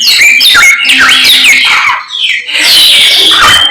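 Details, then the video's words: Samyong bird singing vigorously at daybreak, pouring out high, looping whistles and quick slides, with a brief pause midway before another loud burst. "SAMNYONG GACOR Menggemaskan DI PAGI HARI"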